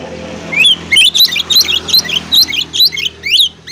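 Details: Oriental magpie-robin in full, lively morning song, calling out opponents and provoking rivals to fan their tails: a fast string of loud, high, sweet whistled notes with sharp upward flicks, repeated roughly every quarter second.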